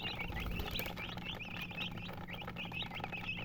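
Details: Dyed chickens peeping in a group: rapid, bright, slurred chirps tumble over one another, with a faint low hum running underneath.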